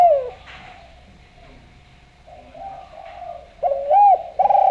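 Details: Javanese spotted dove calling vigorously as a lure for other doves; a falling coo starts it, then soft low murmuring, before a wavering double note and a loud sustained coo close the clip.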